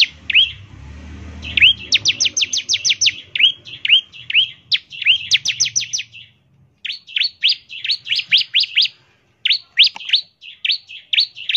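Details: Lure recording of a bar-winged prinia: rapid upslurred and downslurred whistled notes in fast series, with brief pauses between bursts and a low rumble at the start.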